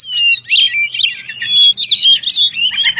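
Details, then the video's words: Kacer (white-rumped shama) song aimed at an opponent: a continuous flow of warbled, whistled phrases with brief pure tones and a faint low hum beneath. "Kicau merdu suara kacer ngeplong memanggil lawan, kacer apasaja langsung nyaut bunyi gacor!"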